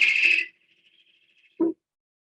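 A great horned owl gives a single harsh, raspy scream of about half a second that trails off thinly, followed by a brief low thump or voice.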